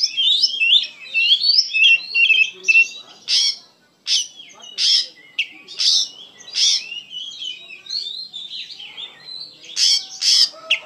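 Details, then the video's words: Oriental magpie-robin in lively, emotional full song, pouring out dense runs of high twittering notes broken by sharp harsh bursts, with a short pause near the middle before it resumes. "KACER GACOR PENUH EMOSI"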